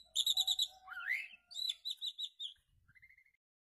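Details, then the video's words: Asian pied starling sounds for pairing: a quick series of bright chirps, a rising slurred whistle, more clipped notes, then a short level whistle fading into near silence. "menjodohkan jalak suren dengan cepat"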